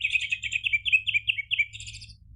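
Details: Rapid, continuous orange-headed thrush song, used as a lure to get birds answering in gacor style: a fast string of bright, slurred whistled notes run together without pause, with a soft low hum beneath.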